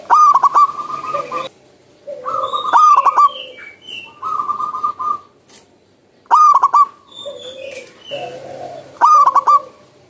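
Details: Zebra dove in the wild, singing vigorously. Loud pulsed cooing bursts come about every three seconds, each a quick stuttered phrase. Other birds give higher whistles and soft notes in the gaps between phrases.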